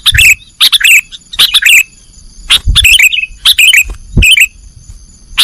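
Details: Sooty-headed bulbul song in the nggaruda style, used as a master recording for training cage birds. Bursts of high, harsh, chattering notes come in quick clusters with short pauses. A faint low thump and a steady high tone run beneath.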